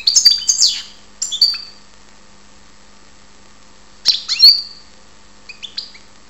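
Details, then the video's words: European goldfinch (karderina) from Ptolemaida, Greece: short bursts of bright, high twittering and tinkling notes with quick upward and downward slides, separated by pauses of a second or more. A faint steady low hum sits underneath. "karderina Goldfinch"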